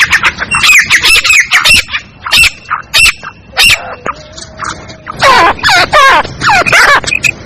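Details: Female black francolin decoy call, played to draw other francolins in quickly and excite them: harsh, nasal squawks in irregular bursts, each with wavering stacked tones, some quick doubled notes and brief pauses between volleys.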